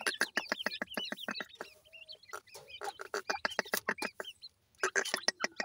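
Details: Grey francolin chicks (dakhni teetar) give rapid regular clicks, about three a second, with hooked high chirps over them and a short pause before the clicking resumes.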